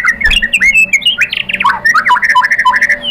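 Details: White-rumped shama, provoked into replying, gives a busy run of varied chattering notes and short whistles that tumble up and down.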